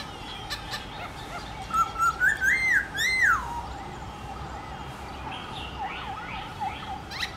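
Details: Black-throated laughingthrush morning song in forest-style contest voice: a short burst of rising and falling whistles in the middle, over a steady droning hum and faint distant notes.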